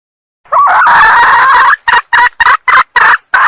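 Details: Female red junglefowl from Sumatra calling to lure males: one long harsh note of about a second, followed by short loud clucking bursts repeated roughly three times a second, clean with no other sounds.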